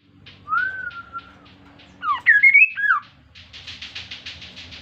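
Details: Kaso-kaso bird, an insect-eating bird, singing actively as a lure to get other birds singing. A long level whistle is followed by a twisting, rising and falling whistled phrase, with short buzzy rattled notes before and after.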